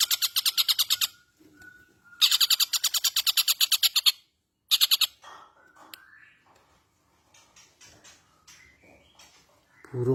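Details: Long-tailed shrike song with a rich repertoire, opening with two rapid bursts of sharp, high, evenly repeated notes, then softer varied chirps, twittering and short whistles, with a brief low rustle at the close.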